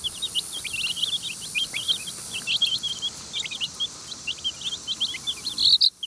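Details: A group of chicks forages in a run and takes feed from a keeper's hand. Dense, continuous high-pitched cheeping from several birds, with short sharp peeps over a faint hiss and a louder burst of chirps at the end.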